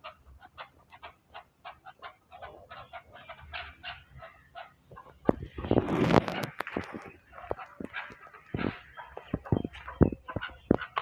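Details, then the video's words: Chukar partridge (chakor) in Pakistan giving rapid clucking chuck notes, about four a second, swelling into a louder, harsher burst of calls midway before settling back. "Chakor | chakor ki awaz"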